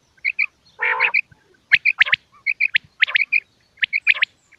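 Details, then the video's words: Common quail, male and female, recorded for quail hunting in Pakistan: a burst of bright paired chirps interrupted by one harsher, rasping note, then clipped high calls repeating quickly. "quail sound effect video"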